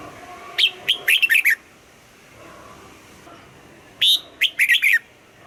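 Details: Caged red-whiskered bulbul delivers two matching phrases about three seconds apart, each a string of five or six bright whistled notes ending with a downward slur.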